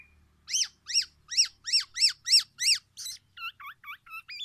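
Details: Tame Black-naped oriole singing loudly: seven evenly spaced, sharp chevron-shaped chirps, then a faster series of shorter hooked whistled notes, all high-pitched and clean against a quiet background.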